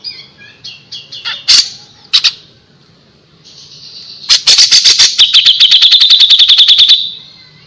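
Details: A grey-cheeked bulbul sings gacor style, opening with soft scattered notes and a few loud clicks, then building into a long, fast, even rattle of high ticking notes that fades away.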